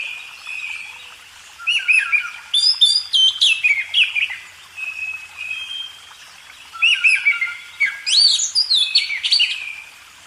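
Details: Magpie robin singing for a cage-bird training recording: after a quiet start, two phrases of bright whistled notes, quick trills and falling slurs, each lasting about three seconds, with a short gap between them.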